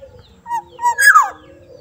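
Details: Soft-voiced Black-naped oriole from Sumbawa giving two brief mellow whistles, then a loud, rasping, downward-sliding note in a short phrase against a quiet background.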